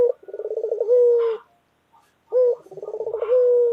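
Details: Loud white local collared dove, a pet bird, giving two calls: a short low note, then a rapid rolling purr that runs into a long steady coo, with a brief gap between calls.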